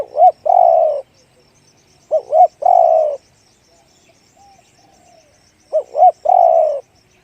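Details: Deep-voiced spotted dove cooing: two quick hooked notes, then a long level coo that falls away, the phrase given three times with pauses and little else heard.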